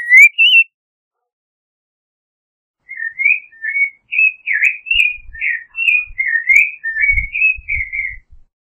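Creamy-bellied Thrush song: a run of short, clear whistled phrases around a steady mid-high pitch, delivered quickly after a brief opening note, with a few soft low thumps.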